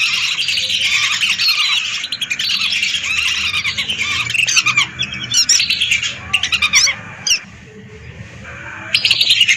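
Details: Hundreds of lesser whistling ducks calling, recorded to serve as a lure. A thick chorus of squeaky whistles thins midway into scattered sharp notes with gaps, then swells again at the close.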